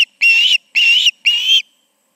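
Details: Osprey at a nest in Charlo, evening of August 20, 2019, with two birds present: three loud, drawn-out whistled calls, each slightly wavering, evenly spaced about half a second apart.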